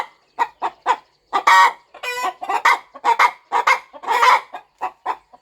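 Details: Devoted mother hen fluffing over her eggs on a farm. Sparse single clucks open, then a busier stretch of rough, grating clucks and one buzzy drawn note.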